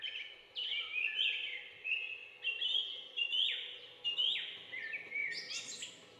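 A bulbul gives a run of bright, chattering whistled notes, mostly high-pitched with quick slurred downstrokes, in bursts about every second; faint background hum.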